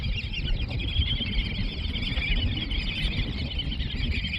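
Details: Several hundred Black-bellied Whistling Ducks on both sides of a road keep up a loud, dense, overlapping chorus of high, squeaky whistles, over a steady low rumble of wind.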